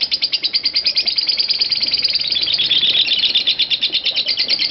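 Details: Intense lovebird ngekek, the 'konslet parah' type, used as master audio for training lovebirds. Harsh, high chattering notes tumble quickly in an irregular, almost unbroken burst.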